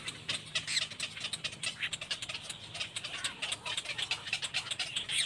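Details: Little black cormorant, a mother with her baby, giving dense runs of harsh, rasping, clicking calls in quick irregular bursts, with no quiet gaps between them.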